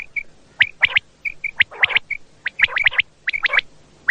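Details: Common quail calling at night, as played to lure quail for hunting: short clear notes repeated in pairs, alternating with quick clustered triple bursts, with steady pauses between phrases.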